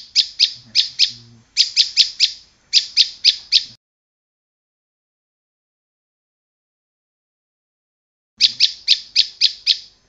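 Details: Bar-winged prinia singing in halting bursts, each a quick cluster of four or five high, dry chips; three bursts come close together, then a silence of nearly five seconds before another burst.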